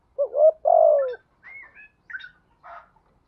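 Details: Spotted dove call used to lure wild doves and train caged ones: a rising coo followed by a longer falling one, then thin, higher chirping notes and a soft buzzy note.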